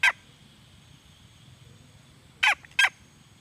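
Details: Red junglefowl hen: one harsh squawk, then a pause of over two seconds, then two more rasping notes in a rapid pair.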